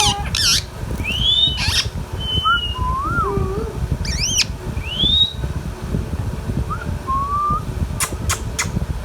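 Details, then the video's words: Pet Indian ringneck parakeet giving rising and falling whistles, a few sharp harmonic squawks and brief clicks, over a steady low rumble of background noise. "Indian Ringneck Parrot Talking"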